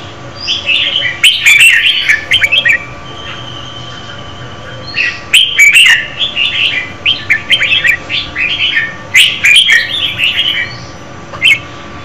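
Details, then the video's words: A female red-whiskered bulbul sings to stimulate a male: three bubbly, chirping phrases of mid-high notes, each about two seconds long, with short quiet gaps between them. "Chào mào mái hót kích trống Red-whiskered female"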